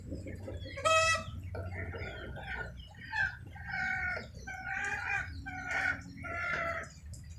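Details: Chickens calling in the rain: one loud, harsh squawk, then a series of nasal, buzzy clucks repeated roughly once a second, over a steady low rumble of falling rain.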